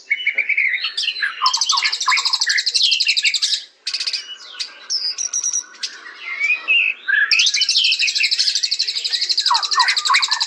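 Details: Rich, varied white-rumped shama song: mellow lower whistles and slurs alternating with long bursts of rapid, high, buzzy repeated notes, with a brief pause near the middle.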